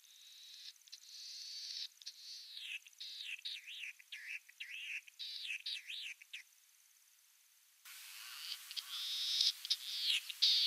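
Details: Latham's snipe in early morning at Kiritappu wetland, calling back and forth with another snipe calling in the distance: a quick run of harsh, wavering high notes, two or three a second, then after a pause a rougher, noisier burst.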